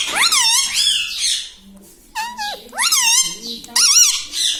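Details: Pet parrot that talks, repeating words like mithu mithu and mummy papa; loud, shrill, wavering speech-like phrases in several bursts, with brief quieter low murmurs between them.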